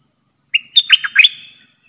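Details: Caged bulbul serving as a trapping decoy, 'dok taeng' style song: a single loud, mellow whistled phrase of quick tumbling notes with sharp accents, roughly one second, in near silence.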